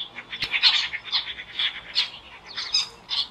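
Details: Jungle babbler, a gregarious bird of the Indian subcontinent, calling loudly while fighting; harsh, squeaky chatter notes repeated in quick irregular bursts, with one sharp click near the start.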